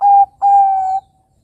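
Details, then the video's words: Zebra dove (perkutut) call, used as a lure to get young birds to sing: two clear, steady mid-pitched notes, a short one then a longer held one, with no other sounds. "Pancingan Suara Burung Kutut Perkutut Bangkok Gacor Ini Mudah Ditiru Kutut Bangkok Remaja Agar Bunyi"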